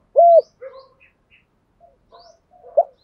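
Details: Spotted dove calling: one loud, arched coo, then faint low murmurs and a short, clipped note.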